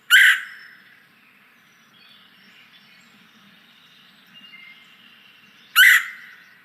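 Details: Red-headed Woodpecker giving two harsh, raspy calls about five seconds apart, hoarse like a sore throat compared with the Red-bellied Woodpecker, with faint thin tones in between.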